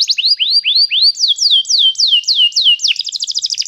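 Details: Canary song for training: rising swept whistles repeated about every quarter second, then longer falling slurs, ending in a quick fine trill, in a quiet setting.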